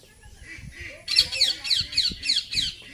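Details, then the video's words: Indian ringneck parakeet, a talking parrot, making noise: a soft low murmur, then a steady run of about six shrill, harsh screeches repeated quickly. "Indian Parrot Talking and Making Noise"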